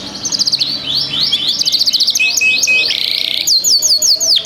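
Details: A ringed canary with a 2025 ring sings loud, varied song: sweeping downslurred whistles run into fast rolls, then a buzzy sustained note, then quick repeated chirps.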